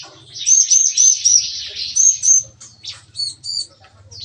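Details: In a breeding aviary on a morning, bar-winged prinias give a rapid, gun-like song: a run of clear high whistled notes repeated about four times a second, then scattered sharp chips, over a low hum.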